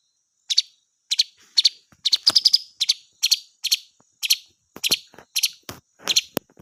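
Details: A singing, calling blue magpie gives repeated scratchy two-note clusters, sometimes a quicker run, mixed with sharp clicks and knocks in the background.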